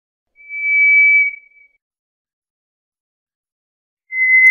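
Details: White's thrush singing: a thin, eerie, steady whistle about a second long fades out, followed by a long silence before the next flat whistle begins. No other sounds.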